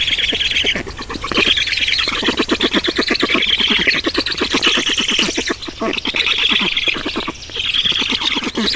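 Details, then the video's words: Black storks at a nest in Estonia during feeding, 18 June 2019 around 10:03; loud, rapid pulsed squawking and wheezy calls pour out almost without pause, with brief breaks, over faint outdoor background. "Estonian Black Storks - Feeding"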